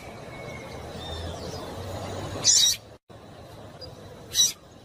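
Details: A female double-collared seedeater calls to stir males into singing. Two brief, scratchy chip notes sound about two seconds apart. A short silent gap falls between them, with steady low hum underneath.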